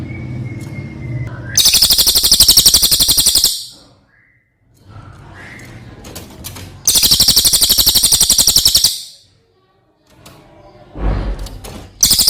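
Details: Brown cililin, a bird from outside Java kept as a master songbird for training other birds. Long, loud, high rolling trills of rapid even notes last about two seconds each, separated by lower rustling and background noise.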